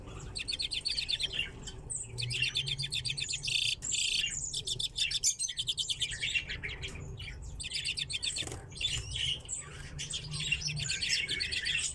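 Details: Several common redpolls in an aviary alongside chaffinches, calling in bursts of rapid metallic chattering trills separated by short pauses, the flock's twitter rising and falling over a low background hum.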